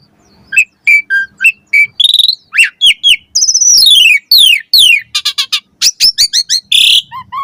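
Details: Asian pied starling song used as master song to train caged birds to sing with varied fills: a fast medley of short clear whistles, downslurred notes and buzzy bursts, high-pitched, with brief gaps between phrases.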